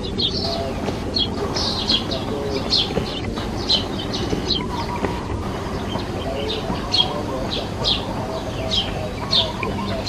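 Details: Sparrows building a nest give quick high chirps, scattered and repeated throughout over a steady low rumbling background noise.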